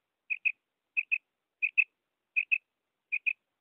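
A female common quail gives five soft, high double notes, 'quip-quip', spaced under a second apart. No other sounds.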